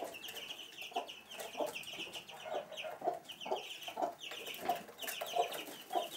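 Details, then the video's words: Hen with chicks in a house room at Sandoval de la Reina, April 2016: rhythmic low clucks repeat about every two-thirds of a second, overlaid by constant shrill chick peeping. "Gallina con pollitos"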